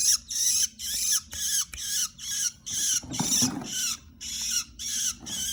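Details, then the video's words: Harsh scratchy bursts from a long-tailed shrike under song tutoring, repeated about twice per second for several seconds, with a brief lower rustling noise in the middle of the series. "Calon burung cendet masteran"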